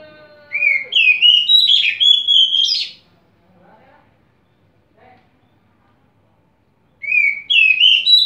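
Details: Oriental magpie-robin (kacer) song: a faint low falling whistle, then a two-and-a-half-second run of bright, sliding whistled notes. Several seconds of near silence follow before a new phrase begins with a rising slur.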